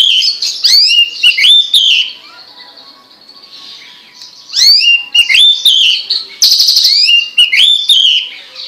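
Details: Hwamei singing loudly: bright, rich whistled phrases with quick upward slurs and trills, a quieter gap around the middle, then renewed bursts of varied, rapid notes.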